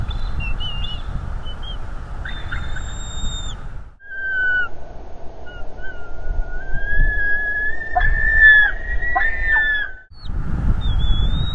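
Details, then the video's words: Bald eagle father confronting an intruder at a North East Florida nest, recorded by a livestream camera: lower whistled tones and a drawn-out piping call with quick stuttered notes, over steady background rumble and a brief gap. "Father Eagle attacks Intruder on the North East Florida Eagle Livestream"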